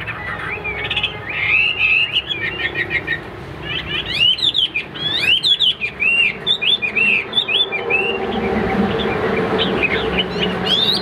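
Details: Caged Hwamei during a fighting display at a competition: a long, energetic song of rapid whistles, sharp trills and looping phrases, with some background noise from other birds and the surroundings.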